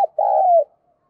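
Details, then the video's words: Spotted dove kept as a decoy bird, stirred into quick cooing, gives one drawn-out low coo that holds steady and then slides slightly downward. A brief clipped note comes just before it. "tiếng chim cu mồi gáy"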